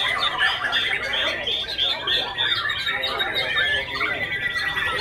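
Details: Continuous song from a young Oriental magpie-robin: dense mix of high squeaky whistles, buzzy chatter and sweeping slurred notes, steady and loud throughout.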